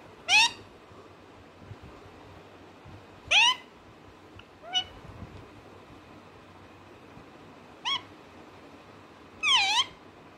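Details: Parrot kept as a pet, giving five short harmonic squawks over ten seconds, each sharply rising then falling, spaced irregularly with quiet hiss between; no clear speech-like words heard.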